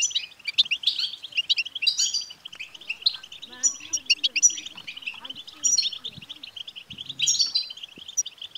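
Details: European goldfinch btbta song, played to stimulate a male goldfinch to sing: fast, continuous liquid twittering with bright tinkling notes and brief high buzzy flourishes every second or so, with faint low thumps beneath.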